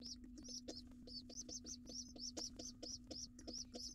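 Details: Shrill, rising-falling squeaks from a wild pigeon nestling at breakfast with its father in a nest box, delivered about three per second in an even chain over a steady low hum.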